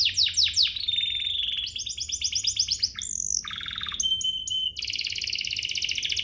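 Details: Domestic canary singing, a recording used to prompt other canaries to sing: rapid high trilled phrases switching every second or so, with repeated chirps, a steady whistled note and buzzy rolls, all bright and high-pitched.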